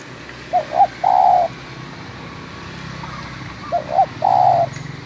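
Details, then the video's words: Local spotted dove calling at Munjung Agung, Kramat, Tegal: two short hoarse notes then a longer drawn-out coo, the phrase given twice about three seconds apart, with faint rural background noise. "Suara panggilan tekukur lokal"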